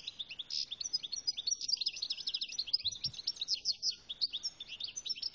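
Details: Algerian European goldfinch singing a fast, bright stream of tinkling, twittering high notes with short buzzy trills, almost continuous with brief pauses; faint low background hum.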